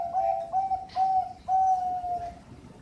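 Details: Bangkok-type zebra dove, a captive bird from Sidoarjo, East Java, singing a sweet, pure cooing phrase: two short notes, then two longer ones held steadily, ending in a fading, slightly falling coo.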